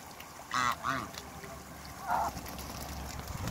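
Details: A pair of Mallards: three short, nasal quacks, two close together, then one more after a pause of just over a second, over a low steady background rumble.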